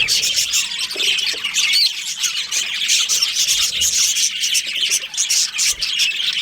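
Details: Budgerigars in a breeding colony with pairs, producing dense continuous high chattering and warbling, overlapping squawky chirps from several birds with no pauses.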